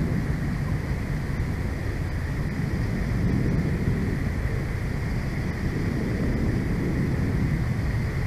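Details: Dense low rumble of wind buffeting the microphone, with a thin steady hiss above and no animal calls.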